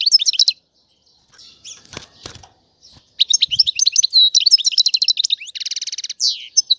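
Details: European goldfinch twittering, calls said to stir males into singing and to signal mating readiness: rapid liquid tinkling notes in bursts, a lull with soft rustles, then a long fast twittering run ending in buzzy trills.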